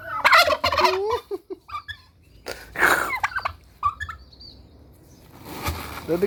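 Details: One turkey, raised alone and described as highly aggressive from wanting a partner, makes loud rattling gobble bursts and shorter squawks, followed by a stretch of broadband noise.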